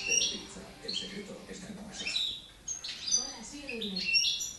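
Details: In Girona, a young goldfinch from 2013 just starting to sing gives scratchy, high-pitched twitters broken by thin whistled notes, with faint low wavering sounds in the background.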